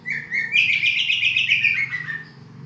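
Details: Oriental magpie-robin producing a continuous rich warbling trill of rapid repeated notes, steady and loud, fading at the end, with low background hum.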